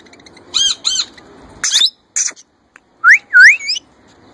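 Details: Young male plum-headed parakeet, a kept bird, copying an Indian ringneck parrot's voice: two rich harmonic squawks, then harsher buzzy notes, ending in loud rising whistled slurs, in a quiet setting.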